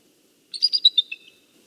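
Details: Eagle of a nesting pair in northeast Florida, calling on a November morning while the two communicate and switch nest duties: a brief, high, squeaky chitter of about six quick notes, falling slightly at the end, in quiet surroundings.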